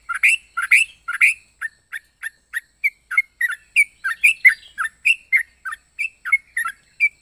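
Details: Yellow-vented bulbul singing in an odd, varied style: lively strings of warbled, slurred chirps, louder and fuller at the start, then steady separate notes every fraction of a second against a quiet background.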